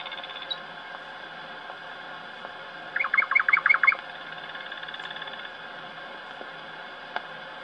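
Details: A captive thrush nightingale (Sprosser), recorded at an aviary in Bremen, Germany in 1910, gives one loud phrase of about six quick, sharp notes, each sliding down, under the steady hiss and hum of the old recording.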